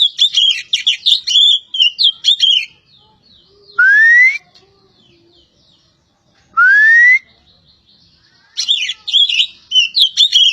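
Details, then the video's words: Oriental magpie-robin from Java singing: fast bursts of high, varied chirps and twittering notes alternating with two long, smoothly rising whistles separated by silences. "BURUNG KACER POCI JAWA"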